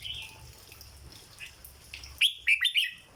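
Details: Red-whiskered bulbul kept as a cage bird, delivering a 'dok' style song: after quiet warbling, a sudden burst of three or four sharp, rich whistled notes with a bouncing rhythm, low hum behind.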